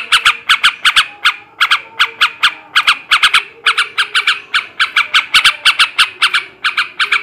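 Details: Male yellow-vented bulbul in the ngebrem ngekek garuda song style, meant to raise breeding drive: harsh, squawky notes in fast clusters of two to four, with short pauses, repeated throughout, and a faint low hum beneath.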